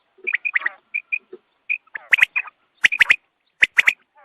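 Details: Quail calling at dawn, recorded as a hunting lure: short clipped notes near the same pitch, given in loose bursts of two or three, mixed with sharp dry clicks and a few lower nasal notes.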